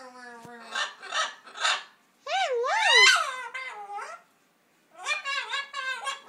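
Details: Indoor macaw attempting speech mimicry, a very fuzzy imitation with three quick voice-like bursts, a loud wavering drawn-out phrase with looping pitch, a brief silence, then more rapid chattering syllables.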